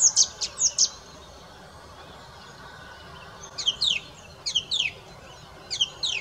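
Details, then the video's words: Song thrush singing: a burst of high, sharp chirping notes, a pause of over two seconds, then short scratchy phrases of quick, high, falling notes repeated three times about a second apart over a quiet background hiss. "Songtrush / Song - Singdrossel / Gesang"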